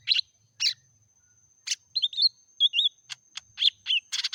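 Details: Meratoh-style song of a lesser green leafbird: isolated sharp chips, then wavering whistled slurs and quick rising notes, ending in a dense burst of chatter, with a thin constant high tone behind.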